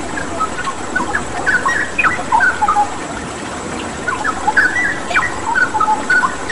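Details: Straw-headed bulbul in lively song, used as a training recording with water-therapy sound: bursts of quick whistled notes and upward slurs come in two clusters separated by a quieter gap, over continuous watery hiss.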